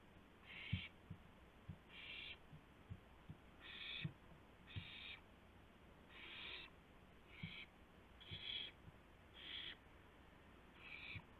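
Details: Owl delivering a gopher to another owl at night, 2 April 2016: repeated raspy hissing screeches about every second, fairly even in loudness, with scattered low clicks and knocks throughout.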